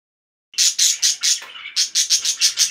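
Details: Pet budgerigar calling loudly: after half a second of silence, a fast run of about ten sharp, bright chirps with one short dip in the middle, evenly spaced and high-pitched.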